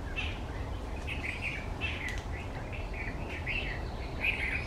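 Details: White-browed bulbul visiting banyan and neem trees for berries, monsoon onset; a run of quick, jerky chirping phrases repeated through the clip, set against a continuous low background rumble.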